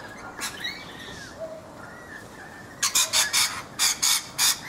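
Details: Rainbow lorikeets in a backyard guava tree in Brisbane, Australia, feeding: a few soft whistled notes, then a rapid run of about seven loud, harsh screeches, evenly spaced.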